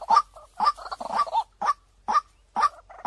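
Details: Clear lure call of a white-breasted waterhen: loud 'kwak' croaks with a burst of bubbling chatter in between, then evenly spaced single notes.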